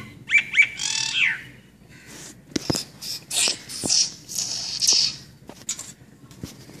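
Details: Brahminy starling giving short harmonic notes, then a run of harsh, buzzy, chattering bursts and scratchy rasps with brief clicks between them.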